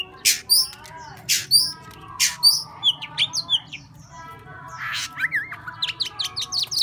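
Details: Oriental magpie-robin in "múa 13 kiếm" song: harsh rasping notes and clear whistles at the start, then a lower warbled trill and a fast series of rising high chips.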